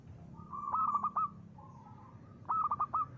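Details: A vocal local zebra dove in the ngristal style, used as a lure. A soft trill leads into a few sharp clipped notes, a pause, then another burst of quick staccato notes.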